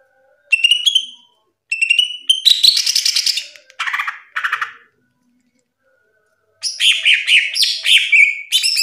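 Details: A caged greater green leafbird, used as a tutor for other songbirds, gives short whistled phrases followed by harsher, buzzy rasping notes, a pause, then a lively run of high, varied chirps.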